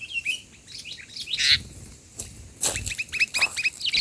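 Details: Sooty-headed bulbul lured into loud song, giving rapid series of short chirped and slurred notes, repeated in quick clusters, broken by a few sharp broadband knocks or rustles.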